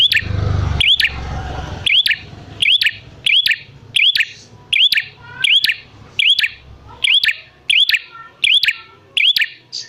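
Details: Prinia lure call to draw wild prinias into calling back: a clicking, upward-curving chirp repeated steadily over ten seconds; a low rumble at the start.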